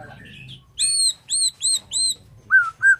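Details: Morning song of a Borneo white-rumped shama: after two soft low whistles, four loud arched notes repeat about every half second, ending in two clear level whistles.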